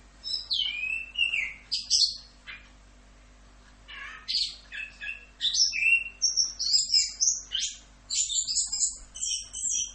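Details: Lively 'Rock'n Roll' tutor song from an orange-headed thrush: bursts of sharp high chips and whistles, a brief lull near the middle, then a fast, crowded string of bright varied notes.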